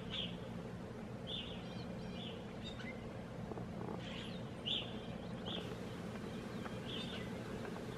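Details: Several Evening Grosbeaks from a small flock in Algonquin, Canada, in April 2016 give short, burry, high calls, roughly one every second, overlapping against a steady low rumble of background noise.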